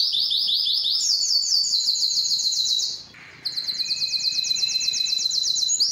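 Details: Belgian canary singing to draw females into breeding: fast high trills, a pause midway, then a steady rolling tour over a fainter, lower whistled note.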